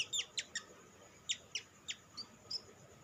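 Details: Sunbird notes played to provoke other sunbirds into singing: sharp, high chips in loose clusters, about nine over three seconds, each a quick descending tick, with a steady background hum.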